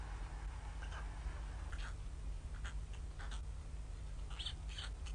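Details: Young white storks in Ustroń, Poland, begging from hunger on 15–16 May 2019 while their mother is absent in foul weather; faint scratchy mewing notes come in scattered bursts over heavy low droning noise.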